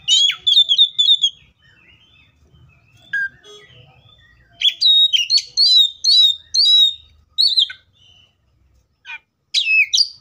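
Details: Oriental magpie-robin singing in the wild: a rich, varied run of clear whistles and sharp chirps in uneven bursts, with brief quiet gaps and a soft low rumble in the background.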